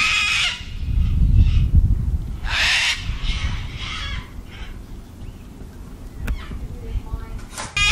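Cockatoos give harsh, raspy screeches in short bursts, several in quick succession, over heavy low rumbling wind or handling noise.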